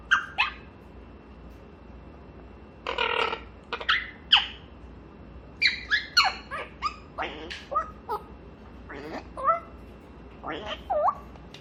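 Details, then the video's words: Grey parrot kept as a pet chattering through its morning talk time in a small room: a busy string of squawks, clicks, whistled notes and babbling speech-like sounds, coming in quick bursts with a short gap early on. "회색앵무의 아침 수다 시간!!"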